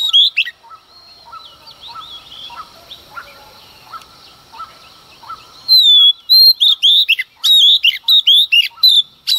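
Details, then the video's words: Early-morning song of a female Oriental magpie-robin provoking males to sing: soft distant chirps at first, then a lively string of bright, sliding whistles and sharp notes in quick succession. "Choè than mái hót kích trống hót căng sáng sớm"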